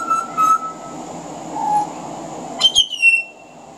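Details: Pied butcherbird on a veranda, its song carrying mimicry of other Australian birds: a rich flute-like whistle, a soft lower note, then a sudden burst of sharp chirps dropping into a level whistle.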